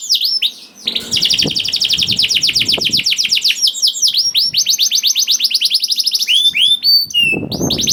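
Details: Young canary singing a lure song meant to prompt reluctant canaries to sing: long rapid trills of high, repeated down-slurred notes, switching between tours of differing speed, with brief faint low rustling underneath.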